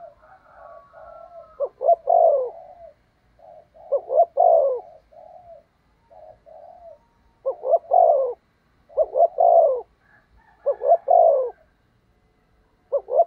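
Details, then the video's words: A spotted dove kept as a decoy to draw in wild doves coos in the thúc gù style. Short stuttered notes lead into a drawn-out, descending coo, and several phrases follow each other every one to two seconds. "Chim Cu Mồi/ cu gáy thúc gù cực đỉnh kích bổi dợt mồi hiệu quả"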